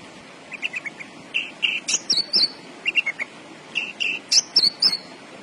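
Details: Javan bush lark (branjangan) in energetic song: soft low chirps building to louder slurred whistles and high sharp notes in quick uneven bursts, over faint hum.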